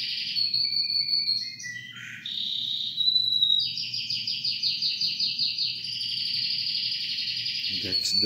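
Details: Two male canaries singing together while the owner encourages them; one sings a long, unbroken song of bright whistles, sliding notes and fast rolling trills, high and shrill throughout, over a faint low hum.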